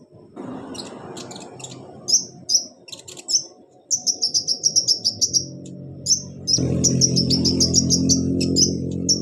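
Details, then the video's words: Kolibri ninja, the olive-backed sunbird, singing as therapy for a bird that won't sing: shrill high chirps, first spaced, then a rapid even run, then dense twittering over a louder low droning background. "KONIN TERAPI konin malas bunyi Insya Alloh cepat ikut bunyi"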